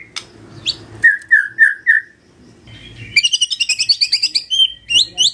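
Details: Magpie-robin morning lure song to coax a quiet bird into replying: four clear downslurred whistles, then a rapid, tinkling series of high sweet notes ending in a few rising whistles.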